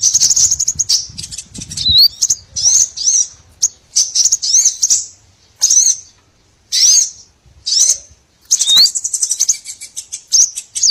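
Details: Small birds on a trapping lure for all small bird kinds: bursts of high, thin twittering broken by clear pauses, with occasional quick rising whistled notes.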